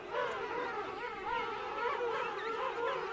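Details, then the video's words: King penguin adults calling close up in a colony of adults and chicks at Right Whale Bay: overlapping harmonic, wavering trumpeting calls that rise and fall continuously, several birds at once over steady colony murmur. "King Penguin. CU Adults Calling. Colony Of Adults And Chicks."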